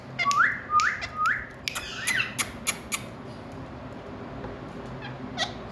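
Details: Talking parrot calling indoors: three quick rising squawks with an upward-sweeping whistled tone, followed by several sharp clicks and taps, then steady low background hum.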